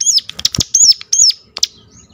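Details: Sunda warbler (ciblek gunung) giving a sharp call meant to lure other birds of its kind into singing: a few high, arched chirps in quick succession with soft fluttering and clicking between them.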